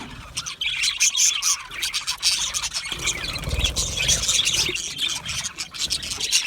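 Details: Contented Australian budgie parakeets chirp and squeal in a busy overlapping chorus of high, grating notes, with a low rumbling noise in the background from about three seconds.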